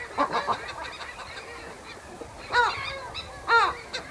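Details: Western gull pair at the nest uttering low-intensity anxiety calls at close range: two distinct, strained, harmonic barking notes about a second apart, amid a busy background of other bird chatter.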